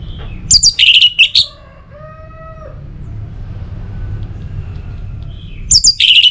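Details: Orange-headed thrush singing, used as a lure to stir other birds into song: quick, high, sharp whistled notes at the start and again at the end, with a steadier, lower, drawn-out tone and faint background rumble in between.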